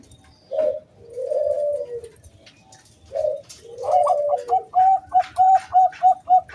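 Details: Local wild zebra dove (perkutut) singing in the clear 'kung bulat' style, used as a lure to draw other doves into song: two mellow low coos, then a fast run of short, even, bright notes repeated about four per second.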